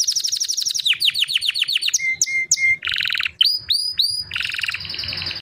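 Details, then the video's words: A white canary sings a varied sequence: rapid falling chirps, a few steady repeated whistles, a buzzy trill, then sharp upward-swept notes and a dense rolling trill, loud and close. "White Canary bird Singing 🎶 Kanarienvogel gesang"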